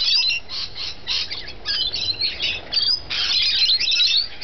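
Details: Several rainbow lorikeets feeding, giving rapid, harsh, high-pitched screeches and squawks in short overlapping bursts, with a louder, denser surge of chatter toward the end.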